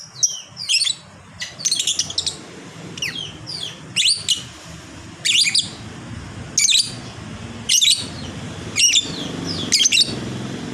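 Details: Fighter lovebird's long chatter: bursts of high, scratchy squeaks and twitters repeat roughly once a second, over steady low background noise.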